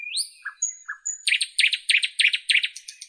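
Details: Nightingale singing in northern Europe: a rising whistle and two low notes open the phrase, then a steady series of about seven loud, rich, repeated notes at a quick even pace.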